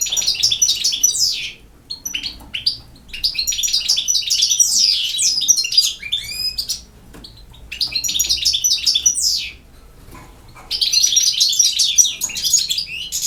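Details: European goldfinch singing in the campero song style: bursts of fast, high twittering and tinkling notes, each lasting about two seconds and separated by short quiet gaps.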